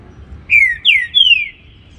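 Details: Green-winged saltator, a bird known locally as trinca-ferro, of the baruc song style, singing in the morning: three loud, clear whistled notes, each sliding downward, the last one longest, over quiet low background hum.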